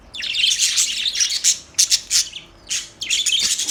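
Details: Budgerigars chirping in bright warbled bursts, a continuous run broken by three or four short pauses.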